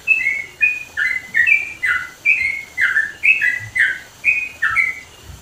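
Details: Sooty-headed bulbul, East Java mountains, singing loudly: a steady chain of bright, slurred whistled notes alternating higher and lower, about two per second, against a quiet background.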